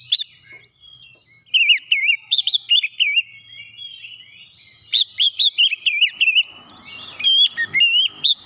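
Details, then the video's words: Rapid 'nembak rapat' song of an Oriental magpie-robin, used as a training recording: after a quiet start, dense runs of warbled, wavy whistles come in two loud phrases with crisp high overtones. Some faint rumbling appears near the end. "terapi masteran Kacer nembak rapat"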